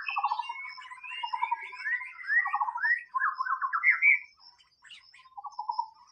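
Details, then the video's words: White-rumped shama singing in the wild: a rich, varied run of whistled and slurred phrases mixed with rattling, pulsed low notes, some rising sharply. A thin steady high tone runs behind. "SUARA BURUNG MURAI BATU SUARA ASLI DI ALAM BEBAS"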